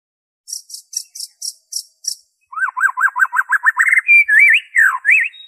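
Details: White-rumped shama original song with no fill-ins, a lure for getting kept birds to sing: a row of high ticking notes, then a fast series of repeated rising-falling whistles building into longer looping whistled phrases.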